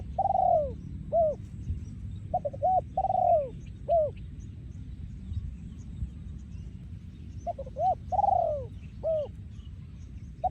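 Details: Spotted dove, breeding male, in 'yon ku ang' song style: several cooing phrases, each of quick short coos, a prolonged falling coo and a clipped last coo, with a quiet gap mid-clip and low background rumble.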